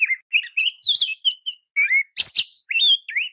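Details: Oriental magpie-robin, called kacer, in a tutor recording aimed at making other birds sing: warbled whistles and mellow slurs broken by a loud harsh double rasp, then more clear notes.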